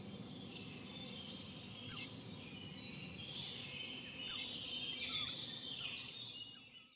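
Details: Common kingfisher by the Dřevnice river, 19 April 2019, Nikon Coolpix P1000 recording: a few shrill, thin whistles ring out at irregular moments above a continuous rushing-water background.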